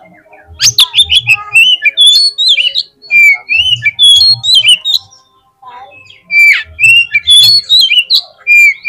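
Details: Oriental magpie-robin performing a vigorous lure song for prompting other birds of its kind to sing: loud phrases of looping whistles and scratchy notes, split by a short pause, with soft low knocks beneath.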